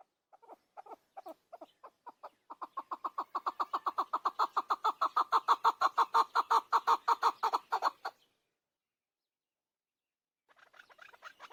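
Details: Chukar partridge, or keklik, building from scattered soft clucks into a fast, loud rhythmic chuk series lasting several seconds, then silence and a burst of quieter, higher chattering notes at the end.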